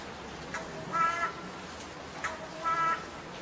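Two harsh, nasal crow caws, each about a third of a second long and spaced under two seconds apart, over a steady low background hiss.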